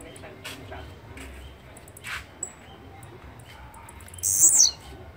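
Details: Blue-black grassquit, called chirrio, giving a single short buzzy high burst near the end, sharply descending, over faint background rumble and some low murmuring.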